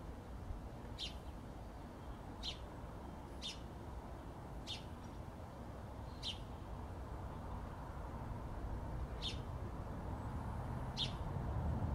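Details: A sparrow chirps repeatedly: seven brief, clipped notes at uneven intervals of one to three seconds, with a quiet background hum that grows slightly louder toward the end.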